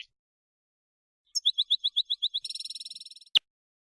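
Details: Short burst from a mutation European goldfinch: about eight evenly spaced high chirps, then a faster buzzy trill, ending in one sharp click, with silence before it.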